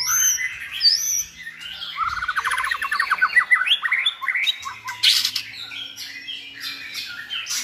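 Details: White-rumped shama song used to tutor another selected shama in varied singing: sweet whistles and quick chirps, then a rapid run of repeated notes climbing in pitch, ending with sharp high bursts and scattered whistles.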